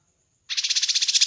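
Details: Kinoi bird singing on a training and luring recording: a faint high thin whistle, then a loud, dense, buzzy trill of rapid pulses that continues to the end.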